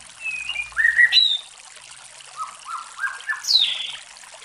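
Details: White-rumped shama observed around breeding: clear whistled phrases, a falling and rising pair of notes, then three short low whistles in steady succession and a high sweeping downslurred note at the end.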